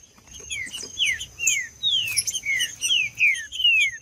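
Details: A male green-winged saltator sings in fighting mode, giving a quick run of bright downslurred whistles, nearly two a second and closely spaced, over a constant high-pitched whine.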